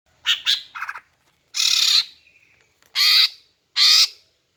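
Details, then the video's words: Female greater green leafbird calling to lure males and prompt them to sing: three short rasping notes, then three longer, harsh, broadband squawks spaced about a second apart, with a faint thin whistle between them. "Memikat dan Memancing Burung Cucak Ijo Jantan dengan Suara Betina Ini agar Gacor Mantap"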